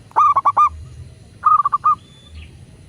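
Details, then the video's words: Local zebra dove, cooing to prompt other doves to respond: two quick phrases of sharp, pulsed notes, the first louder and more stuttering, the second ending in a short roll, above a soft low rumble. "Perkutut lokal gacor pancingan agar burung perkutut cepat GACOR dan BUNYI"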